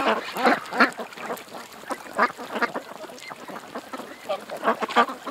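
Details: Ducks at a creek giving a busy run of short, nasal quacks in irregular bursts, several birds calling over one another.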